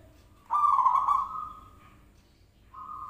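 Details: Zebra dove call played as a lure to make other doves answer; one loud, mellow, sustained cooing note lasting about a second and slowly fading, followed by a shorter, quieter note near the end.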